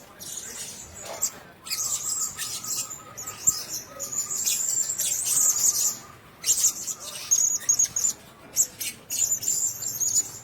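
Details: Caged blue-crowned hanging parrots sharing one cage give bursts of shrill, high-pitched squeaks and thin whistles in short clusters, with quieter gaps and soft rustling between them.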